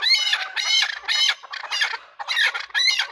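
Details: Chukar partridge, a hunter bird, calling while fighting: harsh, raspy squawking bursts in quick succession, each about a quarter second long, loud and close.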